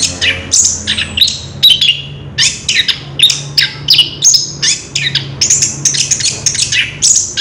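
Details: Ngerol song of an Orange-headed thrush taped on 3 March 2016: a dense run of loud, varied whistles and chirps, closely packed phrases repeating roughly twice a second, low hum underneath.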